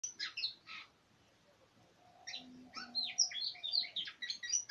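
Oriental magpie-robin gives a quick burst of sweet, varied whistles, pauses, then runs into a richer stream of chirps and slurred notes, with a faint low hum underneath.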